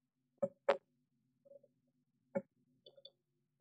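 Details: A woodpecker at a blue tit nest box, trying to get at the chicks, gives hard, hollow knocks at irregular intervals, four sharp blows over a few seconds, with faint thin cheeps in the gaps.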